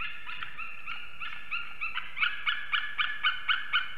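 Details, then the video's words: Eagle pair calling at an Ķemeri, Latvia nest on the morning of 8 March 2024 during arrival and mating. Rapid yelping notes come about four per second and grow louder and sharper toward the end. "Ķemeru Eagles~🎵 Morning Chorus, Arrival Mating & Singing"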